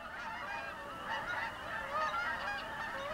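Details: Canada geese in flight passing over a house, a flock giving a dense, continuous chorus of overlapping nasal honks with wavering pitch. No pauses, and no other clear sounds.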